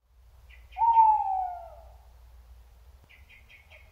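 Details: Tawny owl in Córdoba province, Spain, giving a single drawn-out, mellow hoot of about a second that slides gently downward, with faint high chirps from a small bird before and after.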